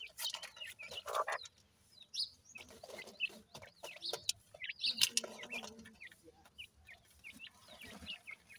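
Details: Teetar (francolin) chicks calling: a dense chorus of short, high, sharp chirps and peeps from several birds, some rising and some falling, with a few louder bursts and soft background noise.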